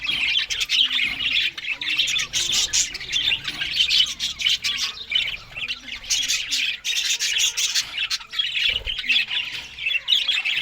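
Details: Australian budgerigars in the morning while eating green food in Larkana, Sindh: a dense, continuous flock chatter of high, rapid chirps and warbles, overlapping without pause throughout.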